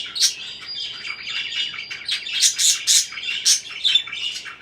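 Parakeets chatter in a steady stream of high, scratchy chirps and warbles, with brighter squeaky notes bursting out every half second or so.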